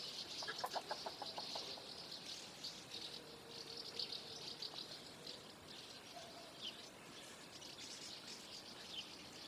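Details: Common house martins in a flock before flight: constant high twittering from many birds, a short run of lower clicking pulses early on, then steady chatter.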